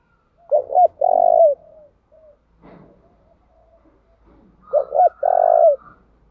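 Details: Spotted dove used as a decoy, varying its song to draw responses from wild birds; two low coo phrases roughly four seconds apart, each short double note then long coo, faint rustling in the gap.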